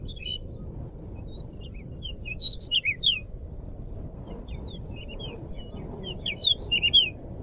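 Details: Pied bushchat in full song, kept as a tutor recording: two bright clusters of quick, high, falling and rising whistled notes, about four seconds apart, with sparse thin notes between, above a constant low hum.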